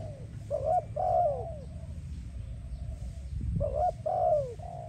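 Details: Spotted dove singing, a recording for training and attracting doves: two phrases of clipped coos ending in a drawn-out descending coo, separated by a roughly two-second pause, with a low droning hum.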